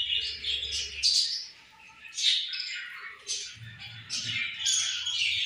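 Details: A group of budgies eating and playing together chatter in overlapping high chirps and squawky bursts, rising and falling in loudness, with a faint low hum underneath.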